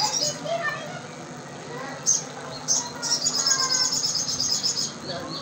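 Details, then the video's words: Crimson sunbird (sogon) calls used as a lure to make another sogon answer: thin, very high chirps, then a rapid high trill of repeated notes running for about two seconds, with a faint lower murmur underneath. "pancingan SOGON gacor, dijamin SOGONmu nyaut 100%"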